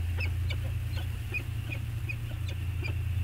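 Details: Peregrine falcons back on Anacapa and bonding, webcam recording of 14 August 2021: scattered sharp, raspy call notes, about eight in three seconds, above a steady low roar.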